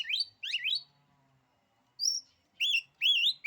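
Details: Oriental magpie-robin song whose singing is said to make other magpie-robins lose their nerve: loud clear whistled phrases with rising and falling slurs, a high thin note, then two rich warbled whistles, separated by short pauses.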